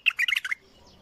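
A bulbul gives a quick burst of five or six rich, slurred whistled notes in half a second, then falls quiet; nothing else is heard.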